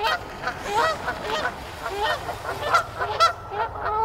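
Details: A chaotic flock of Canada geese at Canoe Meadows on 1 March 2024 honks in a noisy overlapping chorus, with nasal two-part calls from different birds coming every half second or so.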